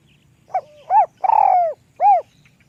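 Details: Small-voiced spotted dove singing one lûk kòk phrase. A brief muffled coo leads into a rounded note, then a drawn-out vibrating coo that falls away, closed by a clear hollow coo. The background is quiet.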